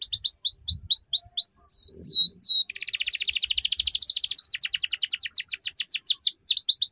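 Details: Canary singing a ngeriwik tutor song for juveniles to copy: a string of rapid falling chirps leads into a long, fast, rattling trill of closely repeated notes that keeps changing pitch.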